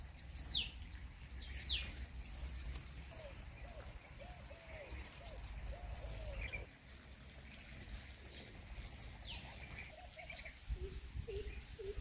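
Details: Purple sunbird in Ranthambore National Park, Rajasthan, India: high, thin, sharply sweeping chips repeated irregularly, with a lower, softer warbling bird voice in the middle and a steady low rumble of background noise throughout.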